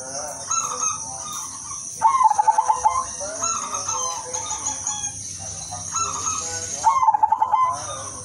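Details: Zebra dove in full, constant melodious song meant to draw in other doves; repeated phrases of soft lead-in notes ending in quick stuttering pulsed coos, two strong phrases about five seconds apart, with a continuous high-pitched hiss behind.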